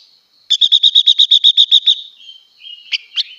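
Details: Female blue-winged leafbird, singing to stimulate males, delivers a brisk series of eleven buzzy pulsed notes in about a second and a half, followed by a soft lower warble and two sharp rising chirps.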